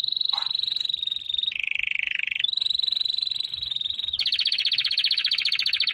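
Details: Canary song made of continuous rolling trills: a high steady roll, a lower buzzy section, a return to the high roll, then a louder, coarser rapid trill.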